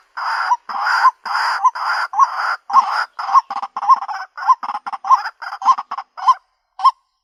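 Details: Female white-breasted waterhen calls for a mate with loud rasping phrases that shorten into quick hooked croaks, slowing and thinning out to a final single note.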